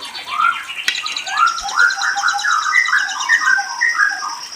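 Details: White-rumped shama, known locally as murai, singing a quick run of varied clear whistled phrases with short trills, pitch rising and falling from note to note, over a faint steady high-pitched tone in the background.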